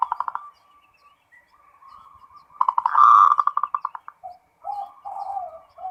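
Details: Zebra dove, a local bird, in continuous song. It opens with a few rapid clipped notes and soft purring coos, then a loud, fast, pulsing trill, and ends with gentle dropping coo notes.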